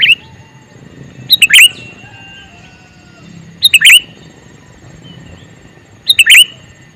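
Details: Calling male sooty-headed bulbul gives three loud, bright phrases of quick liquid notes, each ending in a rolling flourish, spaced roughly two and a half seconds apart against a faint, steady background hum.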